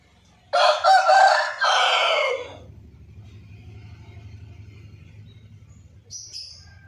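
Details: White rooster crowing: one loud, harsh crow in two long drawn-out sections over about two seconds, rich in layered overtones, followed by low background hum and a brief faint high sound.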